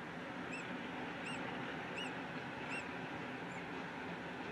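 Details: Peregrine falcon calling in Brussels, Belgium, on 8 April 2016; four faint, evenly spaced arched notes about every 0.7 seconds over loud broadband city rumble.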